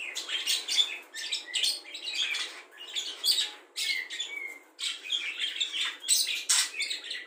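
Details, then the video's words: Budgerigar with a learned repertoire of other birds' sounds: cucak jenggot, kapas tembak, ngekek lovebird chatter and fighting sparrow calls. Rapid scratchy warbling bursts mix with short clear whistles, separated by brief gaps, over steady low hiss. "Parkit isian mewah cocok untuk memaster burung kicau"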